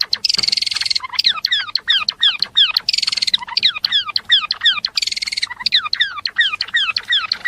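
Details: Java sparrow singing actively: harsh buzzy bursts alternate with quick runs of sharp, downslurred whistled notes, the sequence repeating several times with short gaps.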